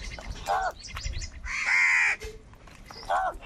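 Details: Crows fighting for food; a long harsh caw in the middle flanked by shorter lower calls, with other crows calling around.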